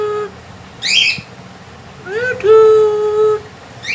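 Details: Pet cockatiel known for talking and singing: a brief chirp, then an upswept whistle leading into a long, steady held whistle lasting about a second.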